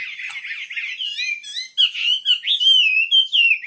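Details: Wambi bird singing steadily: a continuous, high warbled stream of short whistled notes that slide up and down, growing louder and more emphatic toward the end.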